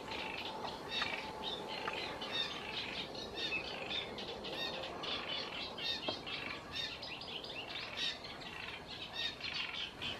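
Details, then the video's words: Great reed warbler fledglings at the Lagunas de La Guardia (Toledo) waiting to be fed by their parents, keeping up a dense, continuous stream of short high chirps and raspy squeaks as they beg, over a steady background hiss. "Volantones de carricero tordal esperando la ceba de los padres"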